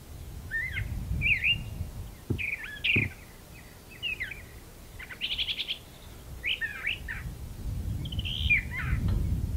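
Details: A Brown Thrasher in a magnolia tree sings a string of short, varied, slurred and chirpy phrases, some given twice, over a low rumble of wind and a couple of sharp knocks.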